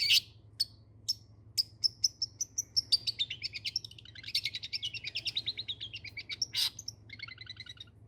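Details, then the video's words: Long-tailed shrike, a kept songbird, singing continuously: sharp high chirps repeated about twice a second, then a dense run of rapid buzzy trilled notes and mixed phrases, ending in quick harmonic chatter. "Pentet ngacir"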